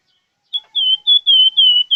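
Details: Plamboyan bird in full song, giving a run of clear, sustained whistled notes, each held about a quarter second, fairly level in pitch and repeated in quick succession.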